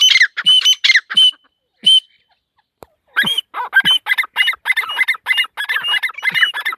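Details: Lively korak calling of a female partridge (teetar): clipped squawky notes with ringing overtones, a short pause broken by a click, then a dense rapid series.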